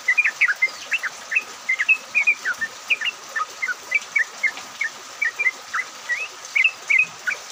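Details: Yellow-vented bulbul song used as a lure to make other bulbuls sing, recorded in the rain; steady series of short, bubbly liquid notes in pairs and triplets, evenly paced throughout, over soft hiss.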